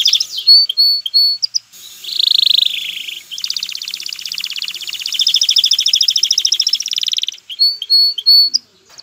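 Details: Male canary singing to prime a female for mating and nest building: crisp high whistled notes, a rich gliding warble, then an extended rapid trill before the crisp notes return.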